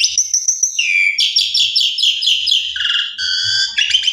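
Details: Continuous gacor song of a Javan pied starling, a lure for a sulking bird: fast repeated rattling whistles in layered high bands, shifting pitch every second or so without any break.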